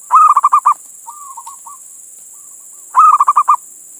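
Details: Local male zebra dove calling a female, used as a lure for other doves: two loud bursts of about six rapid, pulsed coos, with a softer, shorter cooing phrase between them.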